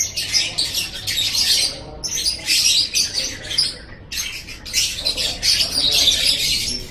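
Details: Lovebird song from an Indonesian masteran recording meant to tutor pet birds: dense, scratchy, high chattering in long bursts, broken by brief pauses near two and four seconds.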